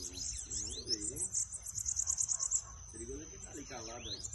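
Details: Bananaquit song for stimulating a pet bird: a fast, evenly ticking high trill of about a dozen notes over a thin whine, with Portuguese speech heard low beneath.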